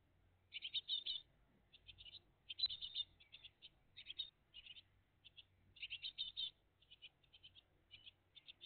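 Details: Early-morning recording, 20 June 2023, of a great tit family at the nest: almost continuous high, raspy chirping in quick clumps and single notes throughout, with one sharp click near the middle.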